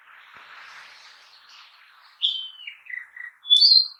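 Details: Narcissus flycatcher singing in a forest: a faint hazy background wash, then from about two seconds clear whistled phrases stepping down in pitch, ending in a loud high sharp note near the close.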